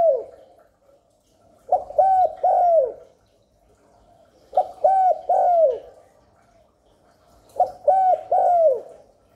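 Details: Spotted dove gáy gù cooing, used to draw wild doves and excite newly kept doves; three separate phrases, each of three smooth mellow coos, the last drawn out and sliding down, spaced roughly three seconds apart.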